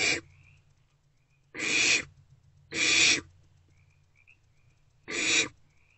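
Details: Barn owlets in nest box C at night, 2 March 2024, between 1:28 and 3:20 am: four strong, rasping hisses in quick succession, about one to two seconds apart, with faint high whistles between them.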